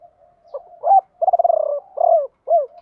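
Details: Decoy spotted dove calling to lure wild birds in the 'ba hậu' song style, also called 'bổ ba': soft low murmurs, then a loud hooting coo, a rapid rolling trill, and two down-curving coos.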